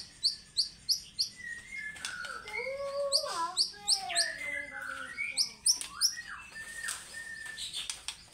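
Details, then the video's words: Lure recording of white-rumped shama song meant to set fighter birds singing, ngekek material: a run of quick high ticking notes repeated about every third of a second, then sliding whistles and chattering phrases. "PANCINGAN MURAIBATU AGAR FIGHTER GACOR PAGI SORE MALAM FUEL MATERI NGEKEK MBESET"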